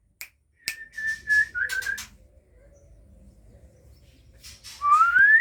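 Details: Captive White-rumped Shama of the Aceh type at a breeding setup where chicks are beginning to fly. Several clear level whistles come in quick succession, then a long pure rising whistle closes the clip over faint background rustling.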